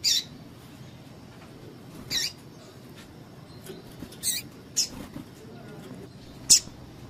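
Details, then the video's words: Female double-collared seedeater calling to excite males, used by keepers preparing singing males for tournaments; short, high, sharp peeps given singly at irregular intervals of one to two seconds over a quiet background hum. "PIADO DE FÊMEA DE PAPA CAPIM PARA DEIXAR SEU PAPA-CAPIM DOIDO"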